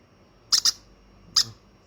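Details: Hand-fed baby conure giving two quick, sharp, high squeaky peeps close together, then a single matching peep after a short pause.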